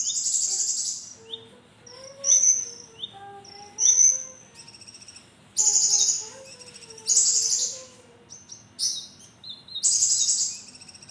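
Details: Javan kingfisher calling vigorously with sharp, piercing calls: harsh, high buzzy bursts at irregular intervals, interleaved with softer, lower rising whistled notes and short pauses.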